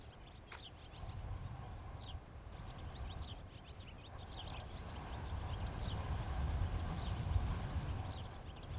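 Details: Nesting osprey couple on a camera in Charlo, Montana, late afternoon of 26 July 2018. Thin, descending whistled chirps repeat loosely through the recording, partly masked by heavy low rumble that swells toward the end.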